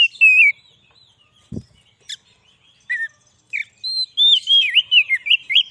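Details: Oriental magpie-robin song used for luring wild birds: a warbled opening phrase, scattered short chips and a thump, then a lively series of looping whistled notes toward the end.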